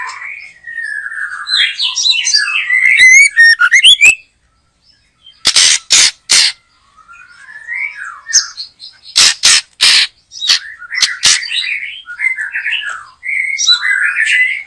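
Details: In a backyard behind a house where a white-rumped shama is being trapped, long stretches of varied warbled and whistled phrases alternate with clusters of loud harsh clicking bursts.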